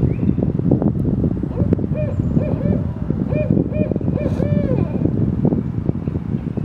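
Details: Barred owl pair in a neighborhood in Danville, Illinois, giving mating calls while mating, recorded on a cell phone in low light on 27 February 2023: a run of short, repeated hooting and cackling notes over heavy rumbling noise.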